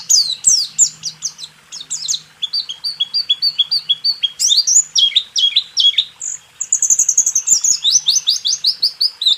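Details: White-eye song for training caged birds, a lively rapid chatter of high sweeping and trilled notes, loud and nearly unbroken throughout.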